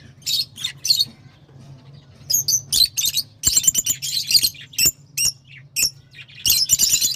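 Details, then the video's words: Shrill, piercing lovebird chirps in rapid irregular bursts, some short sharp notes and some longer buzzy twitters, separated by brief silences, with a steady low hum in the background. "صوت روز /Love Bird Sound"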